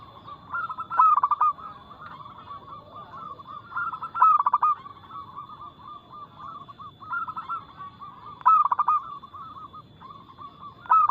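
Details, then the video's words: Zebra dove of local stock in fast, loud, clear song, each phrase opening with a burst of quick clipped notes and trailing into a purring chain of coos, repeated several times, with a constant thin high tone behind. "PERKUTUT LOKAL GACOR Nada cepat Suara keras kristal"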